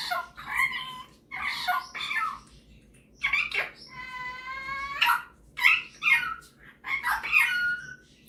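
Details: Singing and mimicking male pet Superb parrot: several squeaky chattering bursts, then a long, buzzy, harmonic-rich note lasting about a second, followed by more bright squawky phrases.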